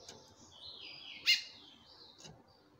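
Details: A female chestnut-bellied seed finch calls for a male. A sliding, whistled phrase wavers across the first second, then one loud, abrupt harmonic call note sounds at 1.3 seconds, followed by a softer note.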